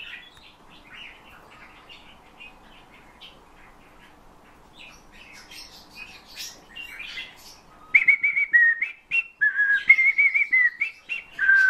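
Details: Eurasian bullfinch trained in song by its keeper, imitating his whistled tunes along with nightingale and thrush phrases. Faint scattered chirps come first, then a burst of loud, pure whistles wavering up and down near the end.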